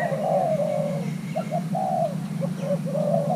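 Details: Thai-hybrid spotted dove, young male being paired, coos: a long hoarse drawn note, brief double notes, another long coo and a closing phrase, all low-pitched over a constant hum.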